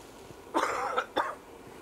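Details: Great grey shrike (Lanius excubitor) at Santon Warren, Norfolk, 3 February 2019, gives two harsh, grating, scolding notes, a longer rasp then a shorter one, over faint hiss.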